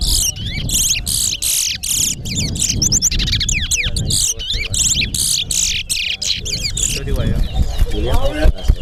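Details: Competing towa towa birds sing at Alligator Pond during a race, giving loud, rapid trilled phrases and high sweeping whistles in repeated bursts about every half second, with murmuring voices in the background.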